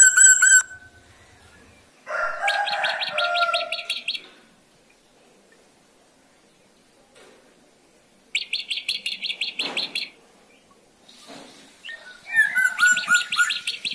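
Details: A lively black drongo, used as a lure bird, sings bursts of rapid, buzzy repeated notes alternating with harsh rasping phrases and clear whistles, separated by short pauses.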